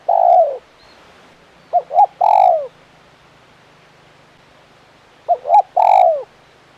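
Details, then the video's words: Spotted dove, a crisp-voiced 'kuk 1' caller, giving a long falling croo, then two full phrases of two short coos and a descending drawn-out note, separated by a pause, with a low background hum. "Suara Burung Tekukur Gacor KUK 1 Mersik"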